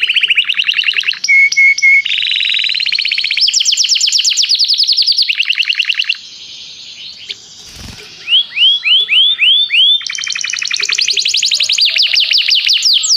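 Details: Song-training canary calling another to sing: changing trilled tours with brief steady whistles, a short gap with a soft thump, then looping whistled sweeps and fast rolls.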